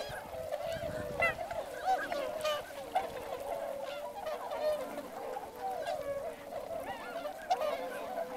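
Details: A large flock of wintering swans at Motono (now Inzai), Chiba, Japan, some walking in the neighbouring rice field, gives a continuous overlapping chorus of nasal, bugling honks, with louder single calls breaking through every second or so; many pintails are also present.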